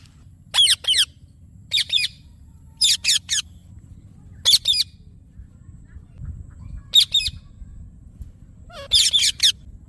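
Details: Rose-ringed parakeet repeating shrill, raspy screech pairs roughly every second or so, with short gaps, against faint background hum.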